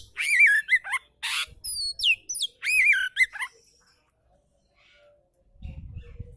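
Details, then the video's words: Oriental magpie-robin singing in a relaxed style for training birds that rarely sing: loud wavering whistles and rising slurs alternating with harsh noisy bursts for about three seconds, then quiet, ending with low rumbling background noise. "KICAU KACER SANTAI COCOK BUAT MASTERAN KACER MALAS BUNYI"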